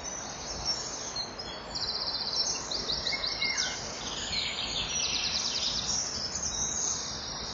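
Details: At a breeding-wall nest camera at 05:41 on 6 June 2014, an adult male common kingfisher lands on the perch calling loudly near a juvenile: shrill, very high, thin notes in fast trilled bursts over steady hiss.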